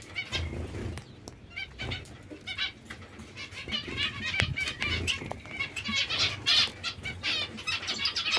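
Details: Zebra finches, said to be hungry, beg with many overlapping scratchy nasal calls, broken by sharp clicks and taps.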